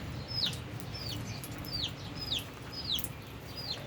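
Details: Lovebirds, albino and Fischer's, eating and at play: a steady run of shrill downward-swooping chirps, about two per second, with faint low rumble behind.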